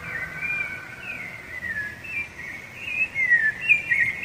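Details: Territorial song of the rufous-bellied thrush, also used to attract a female: softer slurred whistles at first, building into brighter, quicker warbled phrases with sharp downward slides toward the end.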